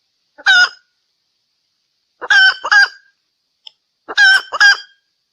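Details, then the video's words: Hen red junglefowl from Sumatra calling as a lure: a single harsh note, then two paired, bright two-syllable squawks spaced about two seconds apart. "SUARA PEMIKAT TERBAIK AYAM HUTAN BETINA SUMATERA"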